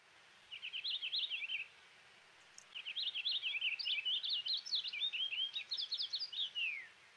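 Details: Eastern Purple Finch song played as an example: light, bubbly warbling in long, loosely joined phrases with much variation and no hard zree notes; a short burst, a pause, then a longer run ending in a downslurred note.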